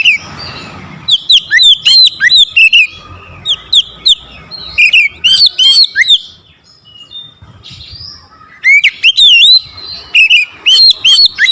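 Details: Agitated oriental magpie-robin, provoked into challenging a rival, delivering a powerful song of quick slurred whistles and sharp chirps in three bursts, with a brief quiet gap in the middle before the loud whistling resumes.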